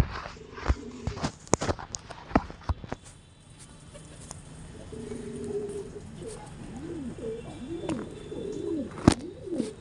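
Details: Pigeon during mating, giving soft low rolling coos, repeated in a rising-falling wavy pattern through the second half, after several sharp clicks and taps early on.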